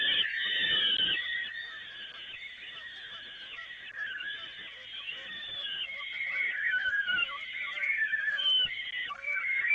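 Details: Peregrine falcons during feeding on the Evoluon grating, 13 May 2018: continuous overlapping hoarse squealing calls that waver up and down in pitch for nearly ten seconds.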